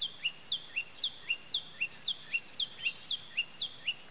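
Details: Common tailorbird (Orthotomus sutorius) recorded 31 May 2017, repeating a sharp, high two-note 'chee-yip' over and over, about four notes a second, above a faint steady hiss.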